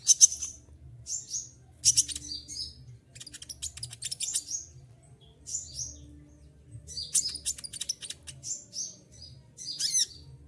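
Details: Olive-backed sunbird singing despite heavy moult, described as shooting shrill, dense, sharp phrases: bursts of rapid ticks and high chirps, pauses between, a final sweeping trill, low steady hum behind.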